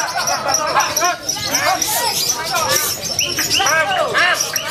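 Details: A lovebird at a bird-singing competition pours out a long, unbroken trilling run of shrill, chattering chirps rising and falling quickly, with an excited crowd chattering in the background.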